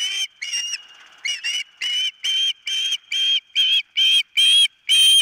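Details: Osprey at its nest, recorded by a nest camera on the morning of 4 September 2023: loud, shrill whistled yelps with a slight rise, given about twice a second in an insistent series, over a faint steady high tone.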